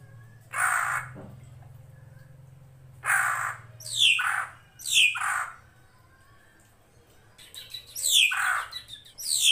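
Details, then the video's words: Drongo, local name srigunting krantil, in a master recording for training songbirds: harsh, buzzy squawking bursts with sharp descending notes, in spaced groups over a faint low hum of running water. "MASTERAN SRIGUNTING KRANTIL FULL ISIN"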